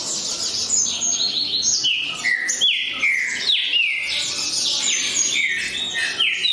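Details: Green-winged saltator pouring out a steady stream of ringing whistles, each note swooping sharply downward, repeated in quick succession.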